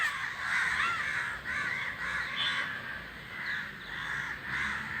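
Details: Group of crows calling as they fly. Many rough, overlapping caws form a continuous chorus that swells and dips slightly in loudness.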